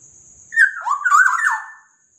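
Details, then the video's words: Black-naped oriole song: one loud, fluty whistled phrase of slurred notes rising and falling, lasting just over a second, over a steady high insect-like hiss. "KICAUAN BURUNG KEPODANG"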